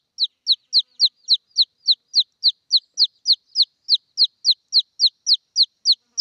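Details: Red junglefowl chick calling its mother with an unbroken string of piercing, down-sweeping peeps, evenly spaced at about three and a half per second throughout.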